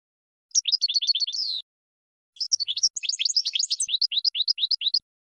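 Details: Goldfinch song used as training material: a short fast twitter ending in a buzzy note, a pause, then a longer bright, jangling phrase of rapid downslurred chirps.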